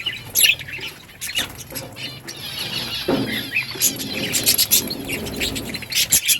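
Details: Budgerigars eating green food give scattered high chirps and scratchy warbles over a low background rumble, with occasional sharp clicks and a denser burst of calls near the end.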